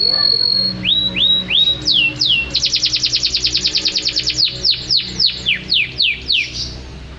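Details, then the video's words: Canary song used as a master recording for home birds: a steady whistle, rising slurred notes, a rapid rolling trill, then a run of descending sweeps, with faint low background hum. "Suara KENARI Juara Gacor terbaru || Jitu untuk Masteran dan Pancingan kicau dirumah"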